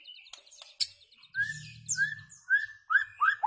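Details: White-rumped shama song used to tutor goldfinches and their hybrids: a few sharp high ticks, then a series of clear whistled notes that slur upward, with a brief low hum partway through.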